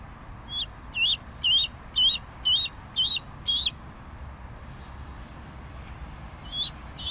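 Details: Bald eagle giving a run of seven sharp, high, squealing notes spaced about half a second apart, each with a small upward twist, then a pause and two more notes at the end over soft background noise.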